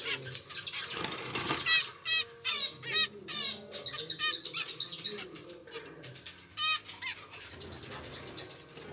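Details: Captive zebra finch chicks, normal grey young of pied parents in a home breeding record, beg for food with bursts of harsh, rapid, high chattering notes amid loud wing flapping and rustling.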